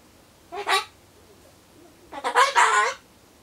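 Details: Lone pet Solomons corella muttering while waiting for pumpkin; one short husky syllable, a pause, then a longer, louder rasping phrase.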